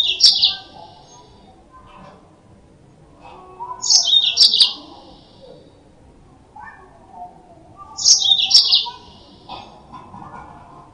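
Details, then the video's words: Yellow-fronted canary sound used as a lure: short high twittering phrases with quick up-and-down notes, one burst about every four seconds, separated by quiet gaps over a faint low background hum. "Suara Burung Mozambik Buat Pancingan"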